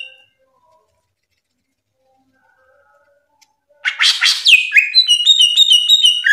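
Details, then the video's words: Greater green leafbird (cucak ijo) in Indonesian masteran song. After near silence, the bird bursts into rough rattling notes, then a quick string of bright repeated whistles. "Masteran Top 1 Nasional Cucak Ijo"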